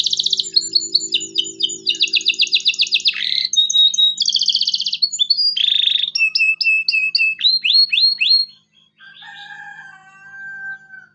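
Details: Long local canary song used to prompt young canaries to learn: varied trills and buzzy rolls, then a series of sharp falling chirps, ending with softer low whistled notes.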